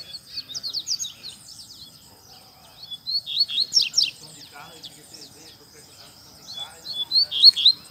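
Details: Coleiro singing hard in a town square, delivering three bursts of rapid high twittering and slurred whistles separated by short pauses, with a faint steady tone in the background.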